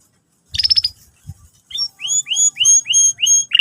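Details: Canary singing for young birds learning the song. After half a second of quiet comes a short buzzy burst, then six clear rising whistled notes at an even pace, ending in a rough chirp.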